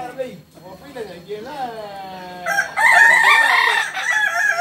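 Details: Kukuak Balenggek chickens, endemic to Solok, West Sumatra, at a joint practice meet: soft wavering calls give way to a loud burst of layered crowing in the last two seconds, with people audible.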